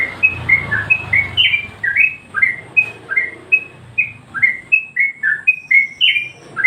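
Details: Yellow-vented bulbul master song meant to excite other birds: evenly spaced, sweet whistled notes, some sliding upward and some downward, repeated about three times per second above soft background noise.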